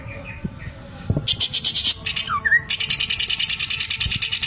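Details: Greater green leafbird belting out a gacor sewing-machine filling: quiet soft notes, then bursts of loud pulsed rattling broken by a couple of slurred whistles, ending with a long steady machine-like rattle.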